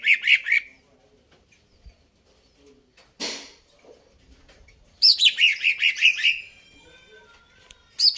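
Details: Energetic greater green leafbird song: a short rapid trill, a broad rushing swish, then a long fast series of bright chattering notes that drops in pitch, ending with another burst.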